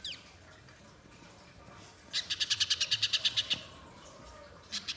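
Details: Spiderhunter in lively chattering song for luring in the wild: after a quiet stretch, a burst of about fifteen rapid, sharp high chips, followed by a couple of further notes.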